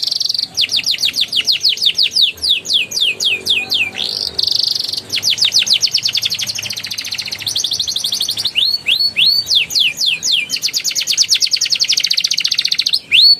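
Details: Energetic canary song used as a lure for young canaries, ngeriwik-ngeroll type: continuous high rolling trills alternating with series of sharp downslurred whistles and rising slurred notes, with almost no pauses.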